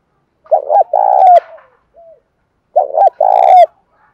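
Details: Bổi-style song of a captive spotted dove: a pair of brief guttural notes then a sustained mellow coo, a faint short coo between, and the whole phrase repeated about two seconds later.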